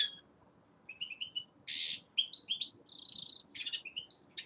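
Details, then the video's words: Winter song of a young male common linnet: scattered high chirps and trills, with a harsh buzzy burst and rapid twittering notes over faint background hiss. "Песенка Реполова Коноплянки song of Carduelis cannabina"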